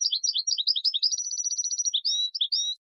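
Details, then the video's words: European goldfinch in full song, meant as a model for young birds: continuous rapid, high twittering that runs into a fast even trill, then ends with a few drawn-out whistled notes. "Taghreed goldfinch in a very beautiful voice"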